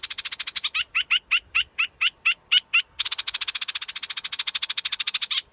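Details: Scarlet-backed flowerpecker: a fast, buzzy trill, then evenly spaced sharp high chips, then another long rapid trill.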